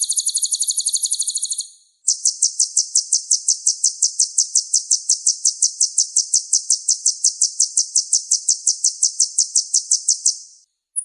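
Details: Kolibri ninja sunbird, a full-repertoire bird used as a vocal tutor for other songbirds: a very rapid high trill, a short pause, then about eight seconds of regular, sharp, ringing notes, several per second.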